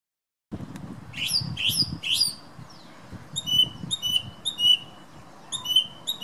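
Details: A thrush sings its daily morning song outside a bedroom window while wind blows. Three rough, swooping notes open, followed by a run of crisp, repeated whistled notes at a steady pace.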